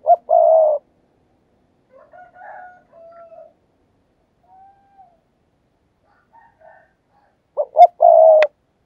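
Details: Decoy spotted dove giving urging coos meant to draw in wild doves. A phrase of two quick notes and a long, level coo opens and closes the passage. Softer, broken cooing fills the seconds between, and there is a sharp click near the end.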